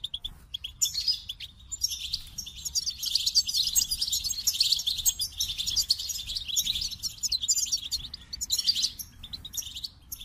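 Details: Goldfinch song, a continuous, dense, high twittering full of rapid liquid chirps, trills and buzzy notes that barely pause for ten seconds, over a soft low rumble.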